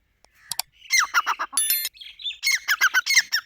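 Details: Grey francolin calling: a fast series of loud, harsh, ringing notes that fall in pitch, repeated several times a second with brief gaps.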